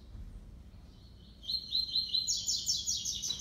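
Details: Double-collared seedeater song from a kept six-month-old brown-plumaged male in a singing contest with a black male, classic three-note style: a bright, rapid run of high trilled notes begins after a quiet start and holds steadily, with low background rumble.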